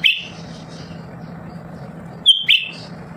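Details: Lesser green leafbird, a lively bird kept at home that sings constantly and prompts other birds to sing: a bright whistled note sliding down at the start, then a two-part whistled phrase near the end, over a steady low electrical hum.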